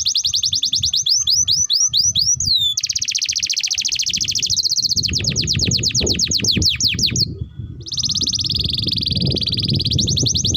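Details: Tutor song of a canary for teaching young birds: fast upward sweeps, then long, even, buzzy rolls and a run of quick repeated sweeping notes, with continuous low background rumble throughout.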